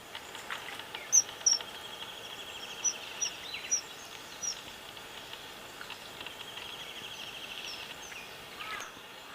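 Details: A common kingfisher at Medhe, Tilari, gives about six thin, piercing high whistles, single or in quick pairs, over steady insect hum and soft outdoor noise.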